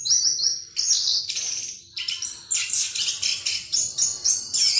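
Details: Orange-headed thrush in continuous rolling song, called ngerol, played as a lure to make rival birds sing openly; dense bright high-pitched warbling phrases with whistles and rapid chatters flowing almost without pause.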